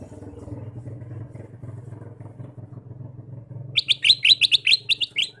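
A low engine-like hum fills the first few seconds, then a Ruby-throated bulbul bursts into a quick run of bright chirping notes, about seven per second.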